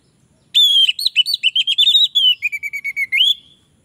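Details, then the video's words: Orange-headed thrush singing a lure song meant to attract others of its kind, one continuous three-second phrase of rapid whistled notes, first wavering high, then dropping into a steady lower series and ending on an upward slur. "Anis merah lain pasti akan terpancing bunyi"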